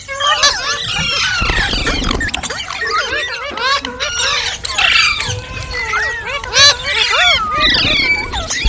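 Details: Ringneck parrot making talking, singing and funny sounds: continuous shrill squeals and wavering whistled notes, many overlapping, with raspy squawks and hissing bursts throughout.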